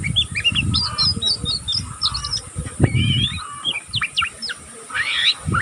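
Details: Learning young oriental magpie-robin in continuous ngeriwik twittering: rapid strings of tiny high chirps, then a few wavering whistles and sharp upslurs, with a rough low rumble underneath.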